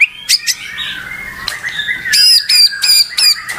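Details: White-rumped shama voice heard as sharp, high, rasping notes repeated about three times a second over a fainter running whistle.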